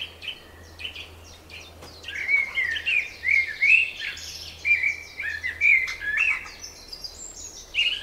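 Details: Spring bird chorus: a lively stream of short warbled whistles and chirps, rising and falling in quick succession, with several overlapping high notes and a soft low hum underneath.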